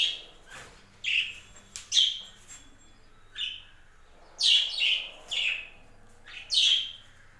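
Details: Several scratchy, downslurred chirps from budgerigars kept on a home budgie farm, irregularly repeated, some in quick pairs, with a faint hum in the background.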